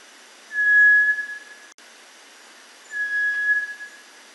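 Cinereous tinamou giving two long, pure, level whistles on one steady mid-high pitch, each lasting about a second, about two and a half seconds apart; otherwise quiet.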